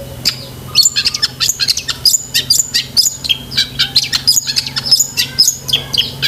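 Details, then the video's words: Cendet, the long-tailed shrike, singing vigorously with a varied mixed song, meant for training pet shrikes: dense bursts of high sharp chirps and whistled notes packed closely together, over a low steady hum. "BURUNG CENDET GACOR ISIAN SEKEBUN"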